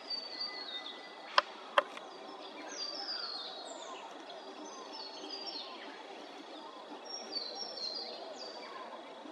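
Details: Rainbow bee-eaters at Maryborough, Queensland, give faint, high, short slurred chirps, scattered and overlapping, over a steady hiss with two sharp knocks near the start.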